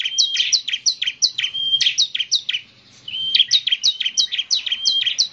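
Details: Bar-winged prinia (ciblek semi) in lively song: high clipped chirps mixed with thin level whistles, given in bursts separated by a short quiet gap.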